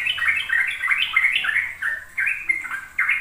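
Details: Sooty-headed bulbul delivering ropel song meant to draw young birds into singing. Quick, rolling fluty notes, about three per second, come in tight clusters with short gaps.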